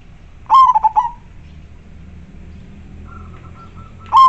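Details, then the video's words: Local zebra dove cooing loudly and clearly, used as a lure for wild doves. A rolling burst of mellow, mid-pitched coos with quick stutters is followed by a softer, faint coo series, then another loud coo begins, over a low background hum. "Perkutut lokal gacor suara jernih dan besar"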